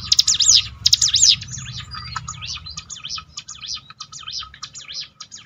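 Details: Two loud, sharp prinia phrases of fast sweeping notes open, followed by a quieter, steady series of similar zigzag phrases. Bar-winged prinia audio for lifting a downhearted bird's spirit.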